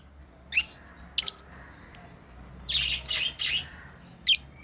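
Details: Lovebirds kept as pets chirp while playing: brief piercing tweets, a quick double note, then a longer raspy chatter before a final sharp chirp.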